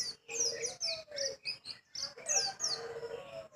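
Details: Small white-eye with a sharp, fiery voice: rapid bursts of thin, high chirps and quick descending slurred notes in short phrases separated by brief pauses, with a faint lower whistled tone running beneath.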